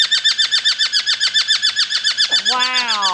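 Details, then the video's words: A hawk-headed (red-fan) parrot at an aviary in Grovetown, Georgia, flies over an Amazon parrot and gives a rapid, harsh chattering series, about three to four notes a second, ending in a drawn-out nasal whine. "Hawk Head Parrot Flies Over Amazon & Makes a Wild Sound"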